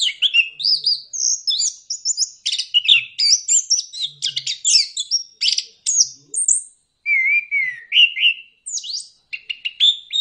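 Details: Orange-headed thrush singing, used as a lure recording to prompt reluctant birds to sing: a rich, fast jumble of varied whistles, trills and mimicked notes, loud and high-pitched, with brief pauses and a smooth warbled phrase near the end.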